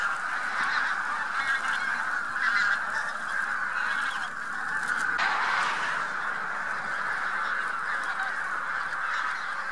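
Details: A vast spring-migration flock of bean geese with a few white-fronted geese in central Poland, early March 2018: unbroken massed honking and cackling from many birds at once, rising and falling slightly in intensity.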